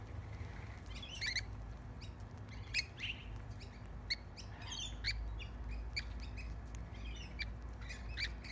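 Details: Lorikeets being hand-fed bread crust in a backyard give sharp, shrill screeches and chattering squawks in irregular bursts every second or so, over a steady low rumble of background noise.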